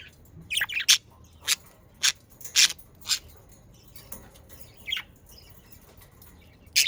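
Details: Australian parakeets, pet budgerigars kept in the Den Haag region of the Netherlands, give short scattered high chirps and sharp rasping notes at irregular intervals, mostly bright and broadband with quiet gaps between.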